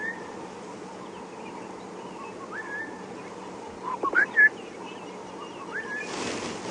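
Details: Southern Boubou at Djuma Game Reserve on a morning safari drive, 23 March 2016, in thick drainage-line bush: a quick burst of two or three liquid whistled notes over low engine hum, with a Cape turtle dove and other faint birds behind.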